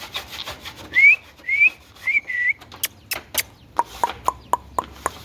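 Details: Indian ringneck parakeet in a small room: a run of four bright, upslurred whistles, then a quick series of dry clicks and short tonal chirps.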